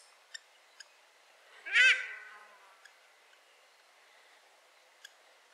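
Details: A female Paradise Shelduck in late autumn in the Maungakotukutuku Valley, New Zealand, gives one loud, shrill, nasal call that rises and falls, with a few sharp ticks before and after it.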